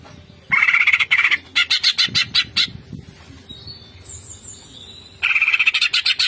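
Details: Greater green leafbird in 'bongkar isian' song: loud harsh buzzy chatter in rapid pulses, a brief pause with a faint high whistle, then another burst of fast rattling notes.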